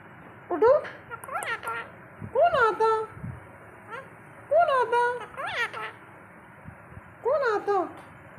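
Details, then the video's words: A pet ringneck parrot, a flightless rescue bird kept uncaged for 16 years, talks with its owner in short, speech-like, slightly nasal, harmonic phrases, about five bursts over eight seconds, in a quiet room. "my parrot talking with me"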